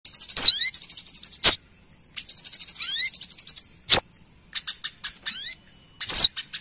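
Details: Female Brown-throated sunbird calling the male, used as a lure sound: rapid high ticking trills alternating with loud sharp down-slurred chips and thin rising sweeps, repeated through the clip with silent gaps.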